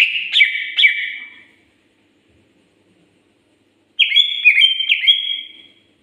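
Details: Singing greater green leafbird, known in Indonesia as cucak ijo: two short bursts of bright, slurred whistles with quick downward flicks, separated by about two seconds of silence.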